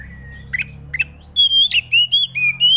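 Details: Oriental magpie-robin in the morning dew, its song meant to set other magpie-robins singing: two soft chips, then a quick string of loud, pure whistled notes alternating between higher and lower pitches.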